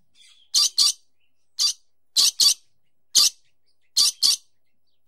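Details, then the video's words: A dusky lory gives harsh, grating screeches, often in quick pairs, about nine over five seconds at an uneven pace, with nothing else heard. "Dusky Lory sound effect"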